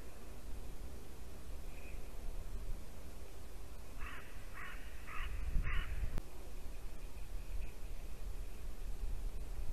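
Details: Ravens around a white-tailed eagle nest in Latvia, winter morning, 2 December 2019. After one faint note, four rough croaks come in a quick even row, then soft distant calls under a steady wind-like rumble.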